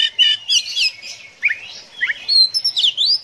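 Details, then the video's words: Oriental magpie-robin song in the konslet 'ngeplay adu mekanik' style, a lively mix of downslurred whistles, twittering runs and sharp chirps in uneven bursts, with no other sounds. "KACER KONSLET NGEPLAY ADU MEKANIK"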